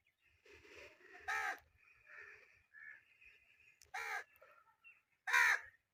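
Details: Pet Indian ringneck parakeet calling with three loud, rasping squawks spaced over several seconds, softer scratchy chatter between them, and faint low thumps underneath.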